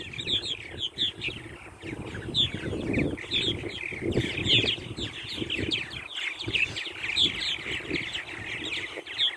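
Purple Martins chatter nonstop in a busy flock, with overlapping gurgling, chirping notes. Low rumbling wind or wing noise runs underneath.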